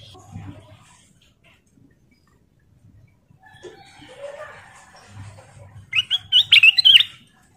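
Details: Lure song of the sooty-headed bulbul (kutilang emas) for drawing out other birds' singing: faint scattered sounds at first, then a loud, quick sequence of sharp whistled, bubbling notes near the end.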